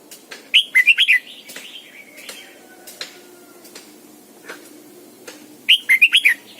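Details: Caged lure Red-whiskered bulbul giving morning song in the double-note forest style, used to train other bulbuls: two loud bursts of four to five quick warbled, up-and-down notes, with faint chirps and softer calls between.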